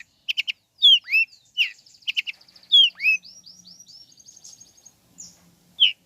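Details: Long-tailed shrike song used to provoke listless shrikes into singing: varied clear whistled notes, some sharply rising or falling slurs, a quick double chirp, then a thin high trill, with short pauses between phrases.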